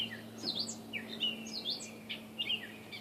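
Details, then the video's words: Catbird out of sight in backyard trees in Saskatoon delivering quick squeaky, downslurred and upslurred chirps in short bursts, bright and close, over a soft low hum. "Audio of a "cat bird" in my backyard in Saskatoon."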